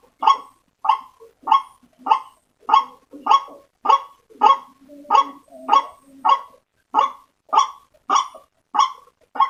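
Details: White-breasted waterhen calling, used as a lure for waterhens: a steady run of about fifteen rough, croaking notes spaced evenly over the recording.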